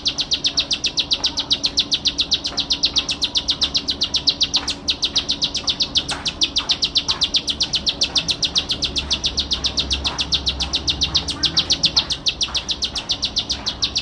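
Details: Bar-winged prinia in vigorous song, pouring out a long unbroken series of sharp buzzy notes, nearly four each second, even and mechanical in rhythm, over faint background hum.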